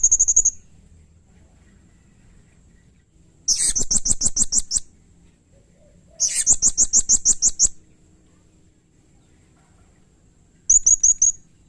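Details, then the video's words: Blue-crowned hanging parrot (serindit), a bird in full, lively voice, used as a tutor and lure for training cage birds: bursts of rapid, very high, shrill ticking notes, each burst over a second long, about every three seconds, with brief lone notes at start and end. "masteran suara burung srindit atau serindit gacor"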